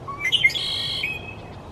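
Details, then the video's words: A male red-winged blackbird in the Pacific Northwest sings to get noticed from a high perch: a few sharp rising notes, then a harsh buzzy trill of about half a second. Faint background hiss. "Red Winged Blackbirds Singing"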